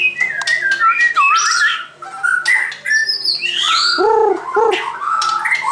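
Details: A white-crowned shama delivers loud, mixed whistled notes, rising sweeps and harsh chips, plus a pair of lower squeaky downslurs near the end; a low hum runs throughout.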